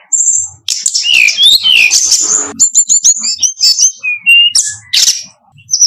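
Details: Brown-chested jungle flycatcher song for use as a tutor: varied swooping whistles and twitters, short chip notes and slurred high phrases, separated by brief pauses.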